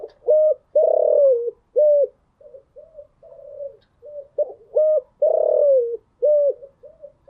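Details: Spotted dove in the morning, a kept songbird, giving its full coo phrase twice: short hollow notes, a long falling coo, then a short note, with softer coos from other doves in between.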